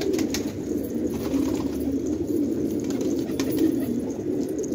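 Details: Low overlapping cooing from a village flock of fighting tumbler pigeons in Khanabad, Afghanistan, steady and murmuring, with a few sharp clicks near the start and middle.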